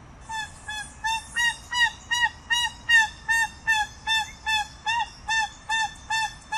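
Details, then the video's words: Loud, regular series of slightly rising-and-falling nasal honks from a crested guan, about fifteen notes at roughly two-and-a-half per second, each note clear and rich. "Canto de la Pava Cojolita"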